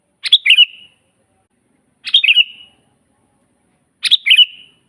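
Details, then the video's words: Natural recording of a lively sooty-headed bulbul used as a training master: three clear phrases of quick chirps sliding into a brief level whistle, each about two seconds apart, background otherwise silent. "suara burung kutilang GACOR asli"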